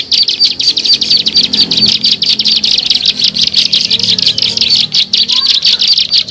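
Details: Bar-winged prinia lure sound for drawing birds in: dense, high-pitched chattering in fast pulses, scratchy and continuous throughout, with a faint low hum beneath.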